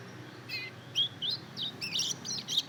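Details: Short burst of practice song from a two-month-old Mozambique canary × canary hybrid: a few spaced high chirps that quicken into a jumble of bright, slurred twitters.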